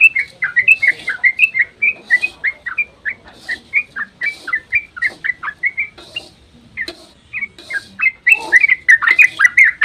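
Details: Yellow-vented bulbul giving its long dawn ropel song, meant to provoke other birds to answer; quick bubbly notes in bursts, a short gap near the middle, then a denser, louder flurry to finish.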